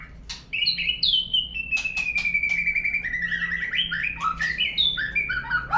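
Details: Lure song of a white-rumped shama, used to make murai birds sing: a long sweet whistle gliding downward, followed by quick, varied rising and falling whistled phrases over faint background hum.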